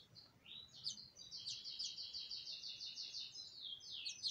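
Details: House finch nestlings close to fledging give a fast, steady chatter of high, thin chips, several every second, in a long unbroken series over soft background noise; 2020.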